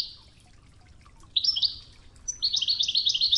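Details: European goldfinch in the Oued training style with river water behind; quiet at first, then a buzzy chirp series, a high thin note and a dense, rapid rolling trill that keeps going.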